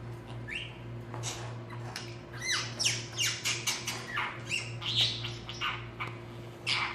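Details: Male budgie talking indoors, a rapid string of scratchy, clicking and squeaky syllables in continuous chatter, against a steady low mains-like hum.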